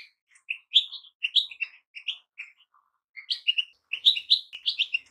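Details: Goldfinch song of quick, bright chirping notes in two clustered phrases with a short pause between them.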